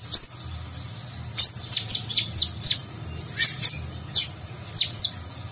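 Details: Nectar-eating sunbird called konin, singing a nagen-style training song for contest birds: sharp, high piercing notes, each dropping quickly in pitch, delivered in spaced clusters of two or three.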